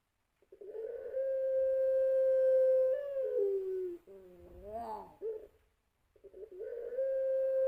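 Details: Champion-trah puter pelung, a kept spotted dove, cooing as a lure: a long steady tone for two seconds that steps down into a falling slide, a wavering bent phrase, a pause, then another long level note.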